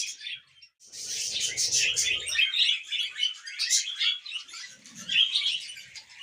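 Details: Contented pet budgerigar warbling: rapid chirps and twittering in an unbroken scratchy stream, several louder squeaky notes, and a soft low rustle near the start.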